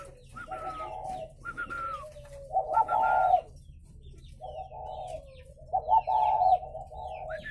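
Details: Captive spotted doves at a breeding farm in Vân Hòa commune, Ba Vì district, Hanoi, Vietnam: mid-pitched buzzy coos in broken phrases under a few thin descending whistles, with a steady low hum underneath.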